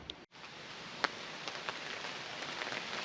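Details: Rain patters steadily on a surface with scattered drop clicks and a brief dropout near the start, and no animal voices.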